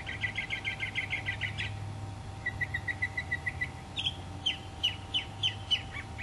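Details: Mockingbird singing and preening among Florida native plants, 2005: a rapid rattle of repeated notes, then a run of softer descending chips, then spaced sharp downslurred notes, over low hum.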